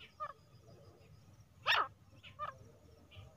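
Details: Female grey francolin (teetar) call used for hunting. One loud, short, harsh note near the middle of the clip, with a few faint, brief notes around it over a low background hum.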